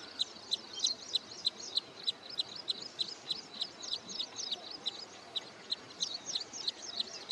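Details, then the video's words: Near Bangalore at Hoskote Lake, Karnataka, a wood sandpiper preparing for return migration keeps up steady high single-note calls, about three each second, with faint scattered chirping of other birds. "Wood Sandpiper Calling and Singing"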